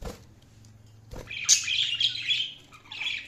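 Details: A budgie feeding, near silence and a short click at first, then a loud, scratchy, high warbling chirp run lasting about a second, followed by another brief burst.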